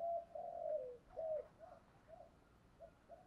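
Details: Spotted dove kept as a decoy to bring in wild doves: a long low coo, then a string of shorter coos fading gradually in loudness.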